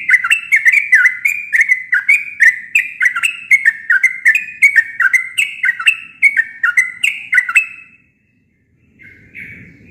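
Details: Sooty-headed bulbul giving its natural song with no added birds: a fast, lively stream of chirped slurs, roughly two or three per second for eight seconds, ending in silence and a faint last note.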